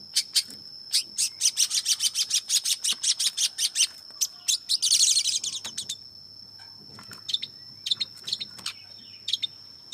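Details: Long-tailed shrike singing: rapid series of sharp high clicks and chips, a dense burst of harsh buzzy notes midway, then scattered chirps; a steady high tone runs throughout.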